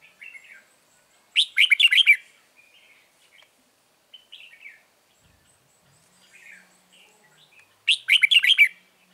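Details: Red-whiskered bulbul serving as a trap lure in Vietnam, 9 March 2020, singing two loud bursts of fast, jumbled warbling notes about six seconds apart, separated by faint short chirps and near silence.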